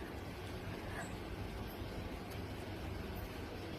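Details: Dense low rumbling vehicle noise with a steady hiss throughout, no animal call standing out.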